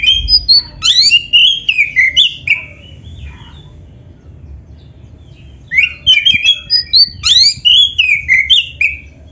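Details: Oriental magpie-robin (black-breasted kacer), kept songbird, singing to prompt other magpie-robins to sing: two bursts of loud, varied whistled phrases with sweeping slurred notes and rapid chirps, separated by a quiet pause; low background hum.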